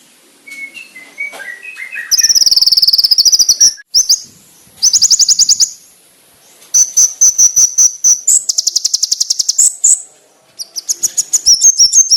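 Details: Konin master song for training, described as richly varied, sharp, loud and clear: scattered high whistled notes give way to long, loud, rapid high trills and stuttering chip series, repeated in several bursts with brief pauses.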